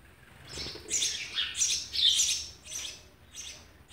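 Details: Sparrows feeding their young, recorded on 19 June 2020. High, squeaky chirps and twittering come in quick overlapping bursts, with several calls close together in a short busy sequence.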